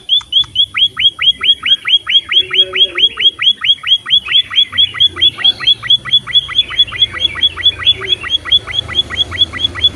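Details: Lively Pipit finch (emprit) song: a long, unbroken series of piercing high chips, roughly two and a quarter per second, holding steady pitch and pace for ten seconds, with a soft low murmur underneath.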